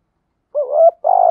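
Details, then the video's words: Decoy spotted dove calling to attract wild doves: a single rich, low coo rising then sliding, followed by a sustained, slightly vibrating second note. "chim cu mồi thúc gù"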